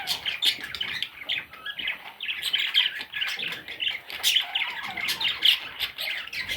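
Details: Baby parrot chicks giving rapid, raspy squawking chatter, with overlapping high scratchy calls that burst irregularly and fill nearly the whole clip.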